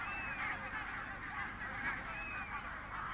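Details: A large flock of barnacle geese in early March, a continuous chorus of overlapping yapping, bark-like honks, fairly high-pitched for geese, as the first geese depart from a Scottish island for Iceland on their way to Greenland.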